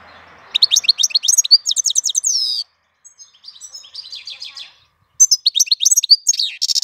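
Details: April song of a goldfinch, bright twittering phrases of quick high notes with a buzzy downslurred note, a short pause of softer chatter, then another burst of rapid tinkling twitters.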